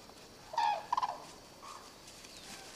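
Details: Captive black-necked crane at Akan International Crane Center, Japan, on January 8, 2006, giving a loud rasping trumpet note followed by three quick pulsed honks, then a softer note, with a quiet background.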